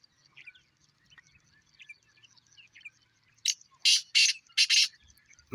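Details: Two pet black francolins calling for the first time this season, recorded 7 March 2026. Faint scattered chirps give way to four loud, harsh, rasping bursts in quick succession, ending with a brief low thump.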